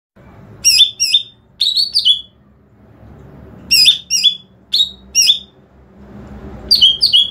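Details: Greater green leafbird calls used to lure other green leafbirds: clusters of loud, sharp whistled chirps, each note sweeping down, in bursts of two or three separated by quiet gaps, over a faint low hum.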